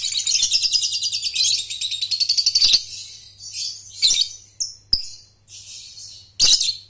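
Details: Lovebird ngekek trill for training young birds: a long, rapidly pulsed high chatter for nearly three seconds, then scattered squeaks, sharp clicks and short rasping bursts over a low steady hum.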